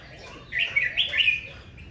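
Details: Red-whiskered bulbul giving a fierce morning dueling song in the 'ché' style. One bright, warbled phrase of slurred whistles lasts about a second over a quiet background.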